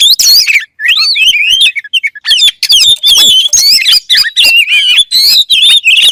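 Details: Oriental magpie-robin, called kacer, in an energetic song intended to trigger kacer birds into singing; rapid sequence of sweet whistles, shrill chirps and fast warbling, hardly a gap between phrases.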